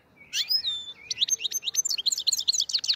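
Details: Black-headed goldfinch from the Fergana Valley towns of Andijan, Kuva and Fergana in Uzbekistan. A lively song opens with a rising twitter and a clear whistled note, then runs into fast, liquid, tinkling twitters without pause.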